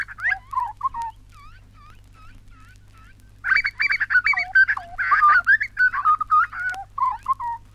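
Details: Grey butcherbird singing in Australia, on a 1968 wildlife record: a run of short, clear whistled notes, then a pause, then a faster, busier stretch of fluty rising and falling phrases mixed with harsher notes.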